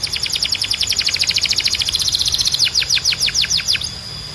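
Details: Loud canary song: a long rapid rattling trill of clipped notes that slows into a series of about ten clear downswept whistles, under faint steady hiss.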